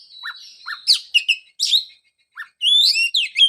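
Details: Oriental magpie-robin, singing as a prompt for a bird that went quiet after moulting: a long whistled note, then chirps and buzzy notes, a pause, and a bright burst of rising and falling whistles.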